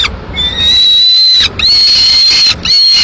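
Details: Peregrine falcon chick alone at the nest in Madrid, Spain, 22 May 2016, demanding food from the female feeding on a swift; sustained shrill, slightly rising whistled wails, two long notes separated by a short gap.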